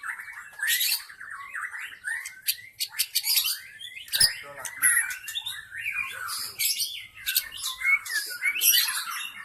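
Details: Forest white-rumped shama, a lure sound for drawing in shamas: a busy, fast medley of crisp clicks, chirps and twisting whistled notes, loud and continuous throughout.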